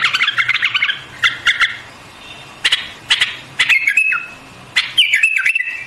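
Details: Song of a white-eared bulbul: chattering, scratchy note clusters in short bursts, then clear whistled phrases with falling and level slurs toward the end.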